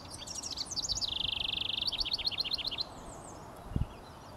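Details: A house wren singing from the top of a pine tree in early morning, May 28, 2023, Kennebecasis Park, New Brunswick, gives a bubbly, jumbled three-second song: high chattering notes, a fast buzzy trill, then quick rising and falling notes; a soft thump follows.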